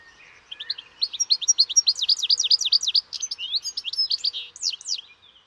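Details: European goldfinch singing a fast, liquid twittering phrase of high, sharply modulated notes, roughly three or four per second, lasting about four seconds before trailing off.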